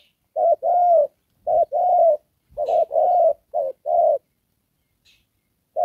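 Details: Spotted dove kept as a trapping decoy, cooing 'đồng pha' style with 'rước' and 'kèm': a few husky short-long coo pairs, then a quiet gap before a last note begins.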